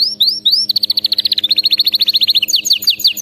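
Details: Canary singing for training: three rising slurred whistles, then a long, rapid rattling trill of about twenty-five even notes, ending in quicker buzzy high chips.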